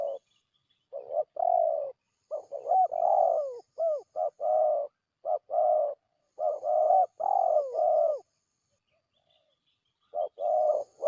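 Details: Lure cooing of a spotted dove meant to draw wild doves in for trapping: series of low, rough coos in quick clustered phrases, loud and clear, then a pause before the cooing resumes.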